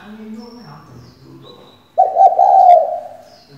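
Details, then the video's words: Decoy female spotted dove meant to trigger male cooing, with a soft low murmur first, then one loud rolling coo of about a second. "Cu gáy mái mồi căng đét thúc bổi mở mỏ ngay!"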